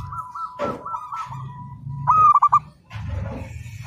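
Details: Local zebra dove singing persistently, meant as a training master: a soft run of repeated coos, then one loud phrase of quick stuttering throaty notes. Background rumble and a few knocks are present.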